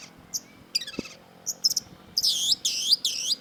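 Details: Long-tailed shrike (cendet) in full, active voice: scattered sharp high chirps early on, then dense, harsh, rasping bursts repeated in quick succession over a faint steady background hiss.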